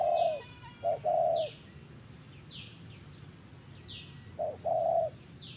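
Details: Decoy trapping of a spotted dove, with the bird giving 'giọng thổ' cooing: two phrases, each a short coo followed by a longer, steady, hollow one. Between them come sweeping high chirps of other birds.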